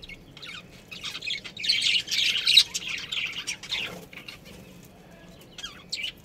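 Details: Budgerigars, a breeding pair and family in a colony: quiet scattered chirps swell into a few seconds of dense scratchy warbling, then fade to sparse short peeps.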